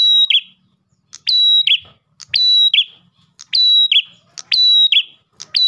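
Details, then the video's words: Ash tailorbird calling to lure rival tailorbirds: high sustained whistles, each opened by a click and closed by a brief lower buzzy note, given roughly once per second with light low background noise. "PRENJAK GACOR pancingan burung prenjak lain"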